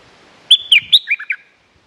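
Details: Stripe-throated bulbul lure song from a territory of fierce birds: one quick bubbly phrase of about six clear notes, opening with two sharp slurred whistles and ending in lower liquid chirps, over a quiet background.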